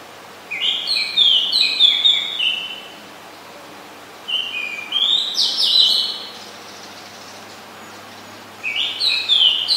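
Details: Oriental magpie-robin, a very common resident, recorded 20 September 2022 in Ubon Ratchathani, Thailand: three bursts of rich, varied whistled phrases with rising and falling high notes, separated by short pauses, over quiet background.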